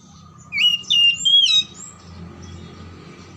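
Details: Brief burst of oriental magpie-robin song used to trigger singing in silent or lazy magpie-robins: about a second of loud, bright whistled notes, some rising and falling, followed by low rumbling background noise.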